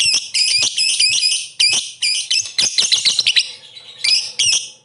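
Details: Lovebird singing to provoke rival birds into song: dense, continuous, shrill chattering of harsh, buzzy notes with sharp chips mixed in, barely pausing throughout.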